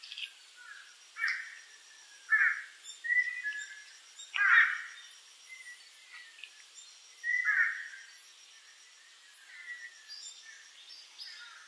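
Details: A Chinese pond heron on Ishigaki Island, Japan, gives harsh, squawking notes at irregular intervals, about half a dozen over twelve seconds, with faint high chirps from other birds behind.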